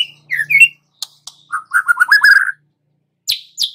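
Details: A young wild White-rumped shama gives a couple of slurred notes, scattered clicks, then a quick chattering run of mid-pitched notes, ending with two sharp high downswept calls.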